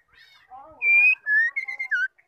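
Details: White-rumped shama female calls, used to stir caged males into singing, heard as a short run of whistled notes: soft warbling phrases first, then loud level and slurred whistles near the top, each about a third of a second long.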